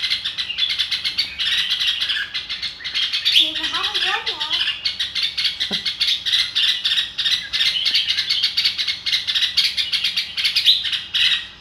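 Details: Red-whiskered bulbul with a dense, continuous high chattering and twittering of many birds, a brief wavering warbled phrase in the middle, and a single sharp click.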